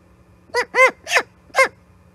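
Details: Osprey at the Charlo nest, 5 September 2021: four short, arched, harmonic-rich chirps in about a second, the last after a brief pause. A faint steady low hum runs beneath.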